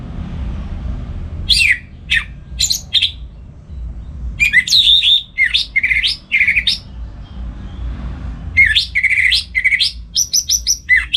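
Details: Captive orange-headed thrush in the morning singing loud, varied bursts of clear whistles and rapid slurred notes in short phrases with brief pauses, over a low background hum.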